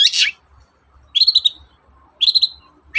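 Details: Morning lure song of a long-tailed shrike, meant to set other shrikes singing: a harsh burst, then two short trilled whistled phrases of three or four rapid notes each, spaced about a second apart.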